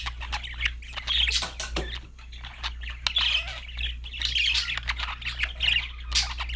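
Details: Parakeets chatter and squawk in rapid, scratchy bursts of warbling chirps, near-continuous through the stretch with sharp clicks between phrases, over a low background hum.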